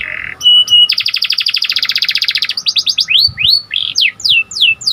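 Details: Panda canary singing a buzzy opening tone and short whistles, a long rapid clicking trill, then a series of falling and rising whistled sweeps.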